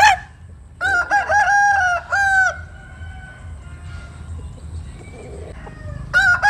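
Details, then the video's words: Rooster crowing at dawn while basking in the morning sun: a loud harmonic crow broken into several pulses, then a long held ending, with another crow starting at the close over low background rumble. "Tiếng Gáy Lúc Tinh Sương. Gà Phơi Nắng Sáng"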